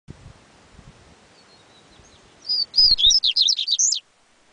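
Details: Yellow-bellied seedeater, called coleiro baiano, singing one loud phrase of clear whistled notes that sweep up and down in a fast jumbled run lasting about a second and a half, over a quiet background.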